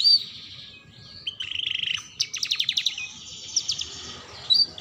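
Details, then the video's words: Tutor song of a canary, played to prompt young canaries learning to sing: a soft buzzy trill, then a lower rapid roll and a quick run of high chipping notes, ending in a bright whistled note. "Pancingan Kenari Belajar Bunyi || Cocok Untuk Pancingan Kenari Paud"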